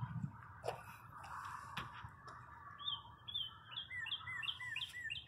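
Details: Spring birdsong at a parking lot after a cold spell. Low rumble and scattered knocks come first, then a rapid string of high, sliding chirps in an even series over the last two seconds.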